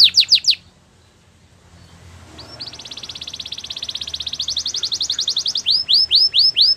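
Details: Canary song opening with quick descending sweeps, a short pause, then a long, even, rapid trill that builds in loudness before breaking into separate arched whistled notes.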